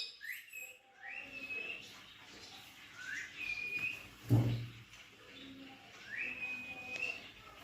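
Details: A pet plum-headed parakeet, kept with a cockatiel, gives shrill, rising whistled calls repeated every couple of seconds.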